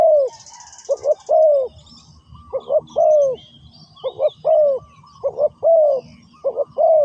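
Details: Close spotted dove coos during ground decoy trapping, each phrase two short notes then a longer downslurred coo, repeated steadily, while small birds twitter faintly and a brief buzzy rattle sounds near the start.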